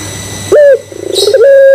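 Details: Barbary dove (puter pelung) lure coo meant to provoke other doves: a short clipped note, a fast pulsing roll, then a sustained even low tone, with a brief rasping burst in between.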